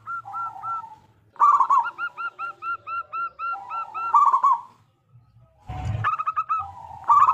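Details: Loud local zebra dove singing to lure other doves into song: short looped cooing notes repeated quickly in steady runs. Each run ends in a rolling trill, with brief pauses and one harsh noisy burst.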